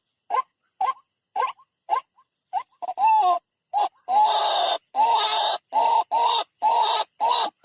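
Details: White-breasted waterhen attacking a rival at a bird trap: loud harsh croaking notes in bursts, first spaced about half a second apart, then merging into longer strained grunting phrases.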